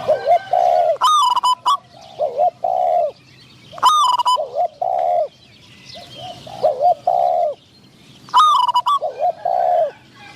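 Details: Spotted dove used as a decoy at a trap to lure wild doves, while a wild bird with a medium-pitched voice is awaited. Low, rounded coos come in short groups, broken by loud sharp clicking bursts.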